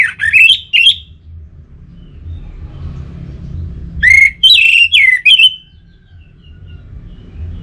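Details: Singing orange-headed thrush (anis merah), played to stir other birds into song; two short looping whistles, then after a three-second pause a longer burst of sharp, swooping whistled notes, all over faint background drone.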